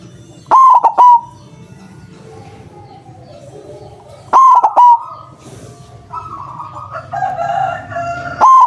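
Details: White zebra dove with a big voice, played as a lure to attract and trap doves; loud triple coos repeat at intervals, with a fainter, drawn-out background tone near the end.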